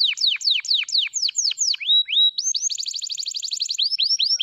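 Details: Canary of the F2 type, kenari F2YS, sings a series of sharply falling whistles, a held tone, then a fast rattling trill and looping upswept notes.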